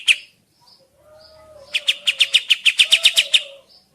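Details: Sooty-headed bulbul song used to lure birds into answering: an opening sharp note and a quiet gap with a faint low whistle, then a run of about fifteen quick, evenly spaced high chirps.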